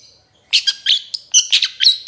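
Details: Short burst from a trotol Long-tailed Shrike in a training recording for other shrikes: a faint thin whistle followed by loud, scratchy, buzzy chirps delivered in quick bunched pairs.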